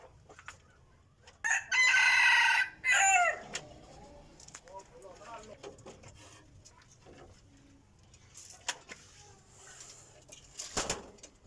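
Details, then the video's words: Decoy rooster crowing: one loud harsh crow in two bursts with a short break between them, about two seconds long in all. Faint rustling and scattered clicks come before and after it. "qaib dib qua zoo heev li"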